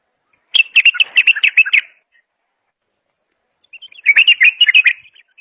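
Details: Bulbul song: two dense bursts of quick, sharp notes, each lasting over a second, with a long silent gap between them.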